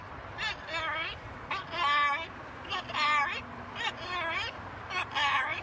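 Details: Macaw parrot mimicking human speech in about six separate phrases of rising and falling, nasal, word-like syllables, each lasting under a second, with brief pauses between them.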